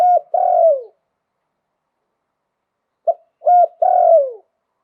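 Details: Thai spotted dove singing 'liu tan' style: two phrases of low cooing, each ending in a drawn-out falling coo, separated by a pause of over two seconds, with nothing else audible.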